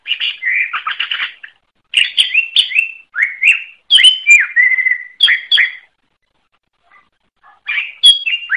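Greater Green Leafbird singing rich, varied whistled phrases with chattering notes and slurred rising and falling whistles, in bursts separated by brief pauses.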